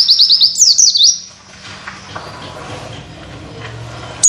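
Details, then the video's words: Masteran recording of an Oriental white-eye for teaching other birds its 'witwit' phrases: a one-second burst of quick, high whistled notes sliding downward, followed by a faint noisy background with distant hum. "Masteran pleci nembak materi witwit"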